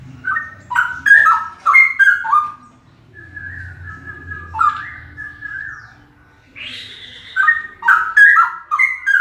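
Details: Male straw-headed bulbul singing very loudly: bubbling, rich whistled phrases with abrupt pitch steps, a quieter drawn-out whistle and a rushing noisy note in the middle, then more loud warbling.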